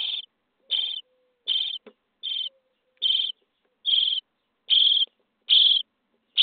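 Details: Common starling chicks being fed in their nest box on day 23 give rhythmic rasping begging calls, nine bursts at steady intervals of about 0.8 seconds, growing louder toward the end, with a faint low hum in the pauses.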